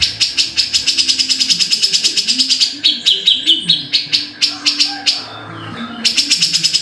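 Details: Grey-cheeked bulbul song: a fast rattling series of sharp ticks gives way to several higher whistled, slurred notes, then a pause and a return to the rapid chatter.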